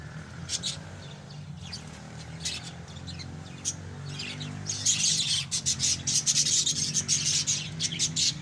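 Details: Shrill chattering from a group of pet lovebirds, sparse early on and building into continuous, noisy high twitters from midway, with a constant low mechanical hum in the background.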